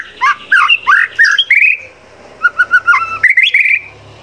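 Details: White-rumped shama training song with garden-bird fill-ins: scratchy chattering and whistles, a short quiet pause, then a run of short repeated piping notes rising to a bright warble.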